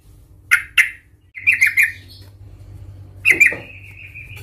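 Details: Angry yellow-vented bulbul in a provoking fighting display: a few harsh, squawky notes, a short triple phrase and a drawn-out level whistle near the end, with steady low background hum.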